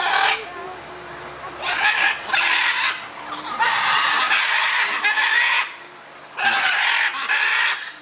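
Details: Scarlet macaws in a heated exchange of views: long harsh screeching bursts of one to two seconds, separated by quieter pauses, each rasping and broadband, repeated four times.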